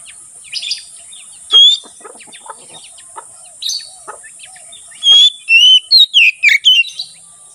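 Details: Kacer, or Oriental magpie-robin, in ngeplong singing style for tutoring and luring wild birds in forest: scattered soft chips and one clear whistle early, then a loud run of six rapid whistled, swooping notes near the end.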